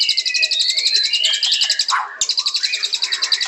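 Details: White-rumped shama (murai batu) pours out a continuous rapid trill over a rising whistled line, pauses briefly partway through, then resumes the fast repeated notes.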